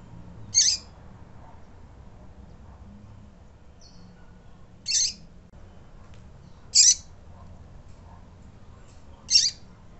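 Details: Double-collared seedeater; contact call; female calling to stimulate males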